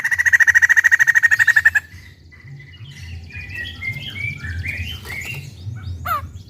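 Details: Captive white-crested laughingthrush pours out a fast, loud series of ringing notes for nearly two seconds, followed by softer jumbled chattering calls and one sharp sweeping note.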